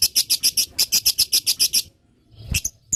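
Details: Rapid lovebird chatter, the long typing style meant to make other lovebirds respond: a fast string of bright, high, rhythmic notes for almost two seconds, a brief pause, then two more sharp chirps.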